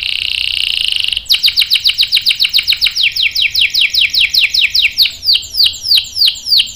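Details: Domestic canary singing hard as a lure to make other canaries answer: a steady high buzzing trill, then a long series of rapid falling whistled notes, about three per second, in a quiet room.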